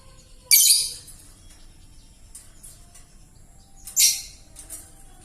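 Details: Juvenile lovebird with a still rough, hoarse voice gives two loud, grating, broadband screeches about three and a half seconds apart, with faint scratchy notes in between.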